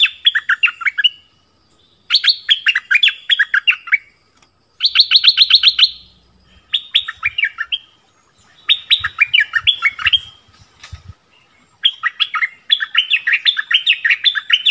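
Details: Orange-bellied flowerpecker song, a recording used as a lure for wild birds and to train young birds. Bursts of high, sharp chirps in quick descending runs repeat in groups separated by short pauses. Soft low thumps are heard in the background.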